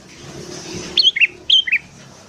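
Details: Sooty-headed bulbul singing lively in the morning, recorded as a lure for wild birds: two short bursts of bright whistled notes, each stepping down in pitch, about half a second apart, over a faint low hum.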